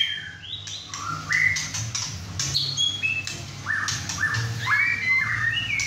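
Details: Young male White-rumped shama, caged at home after his first moult, singing hard with two other birds; clear whistled phrases slide up and down between sharp clicks, over a low humming background.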